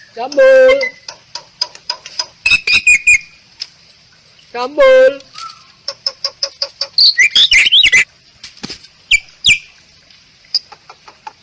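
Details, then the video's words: Rare, protected Bali myna singing for song training: two harsh, buzzy, nasal bursts separated by runs of dry clicks and ticks, with squeaky high chirps and tangled whistles between them. "MERDU KICAU JALAK BALI"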